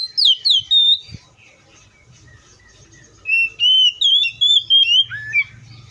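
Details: Oriental magpie-robin said to be in the wild, giving clear whistled phrases: a burst of sliding notes, a quiet gap of about two seconds, then a longer run of rising and falling whistles, over faint low rumble.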